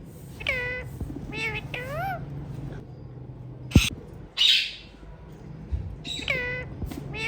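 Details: Hand-tame ringneck parrots calling in a series of nasal, rich-harmonic squawks with rising-then-falling shapes, plus a sharp click and a short hissing burst mid-sequence.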